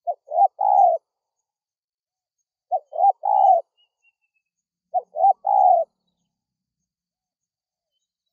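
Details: Spotted dove calling to lure wild doves: three phrases, each two short rising notes then a longer, husky rolling coo, repeated about every two and a half seconds in a quiet setting.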